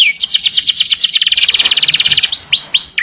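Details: Canary song from a master recording used to teach other birds. A fast, bright, rattling trill slowly drops in pitch and then breaks into a few separate rising-and-falling swooping whistles.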